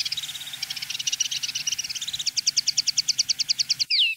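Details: Common linnet song in field style, used as tutoring for young linnets. A rapid twittering trill of quick repeated notes grows sharper and more clipped, then ends in one clear falling whistle.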